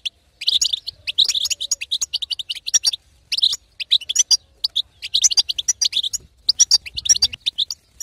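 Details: Female European goldfinch in lively betbeta chatter, intended to make a quiet male sing; clustered high twitters in phrases of a second or two, with brief gaps between.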